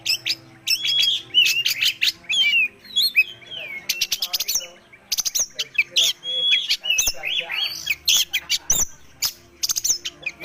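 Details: Oriental magpie-robin, a fine white-spotted bird, in energetic varied song: sharp clicks, rising and falling whistles and fast chattering bursts separated by brief pauses, over a faint steady hum.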